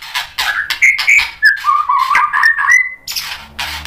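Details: A white-rumped shama, stirred up by a rival fighter, delivers rapid harsh notes followed by a stuttering series of level whistles ending in a long steady tone, then rough bursts.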